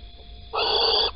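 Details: Male little owl carrying a caterpillar at dawn, Holten, 16 April 2020, 05:59, female not present; a single loud, rasping, hissed screech lasting about half a second, broad and steady, after near silence.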